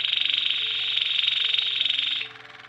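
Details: Waterslager canary, white-plumaged, delivering a loud, dense buzzy roll of rapid pulses held for over two seconds, then dropping to a quieter trailing rattle; low mechanical hum throughout.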